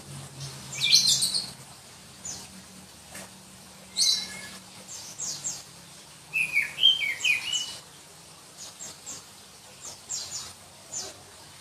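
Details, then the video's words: Black-breasted Oriental magpie-robin from Berau, East Kalimantan, a contest songbird; scattered high sharp notes and a short burst of shrill whistled warbling, with faint chirps and a low background hum. "Kicau Kacer Kalimantan"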